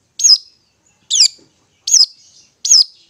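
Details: Long-tailed shrike singing ngetet, a song used to stimulate stressed or mute shrikes: four loud, high, slurred downward notes, each about 0.8 seconds apart.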